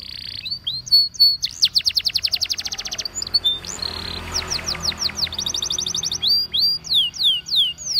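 A Waterslager canary sings in rolling tours: rapid trills of sweeping high notes, several per second, with brief clear whistles between the phrases.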